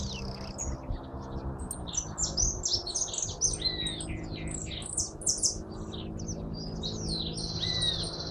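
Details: Hooded siskin in full song: a dense, fast stream of high chirps, slurs and squeaky notes, ending in a drawn-out buzzy trill, against a faint low background hum.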